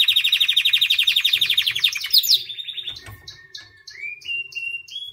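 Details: Song of a white canary: a rapid buzzy trill held for two seconds, a brief high flourish, then after a soft click a slower series of short separate whistled notes, some stepping upward, spaced about three per second.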